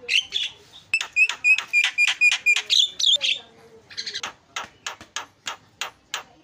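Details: Lure call of the Javan myna for drawing out other mynas: a fast run of loud metallic chattering notes, then a brief pause and a steady series of dry rasping clicks.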